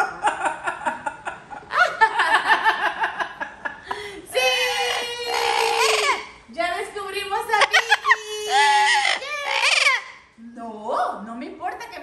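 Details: A pet parrot, shown crying after being scolded, imitates a crying baby with drawn-out, wavering wails and sobbing bursts; human laughter and a little music are heard alongside.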